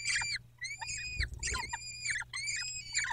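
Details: Peregrine falcon calling at its nest, Dobra, 14 May 2021: four long, even, harmonic wails in quick succession, each ending in a short downward slur, with soft thumps underneath.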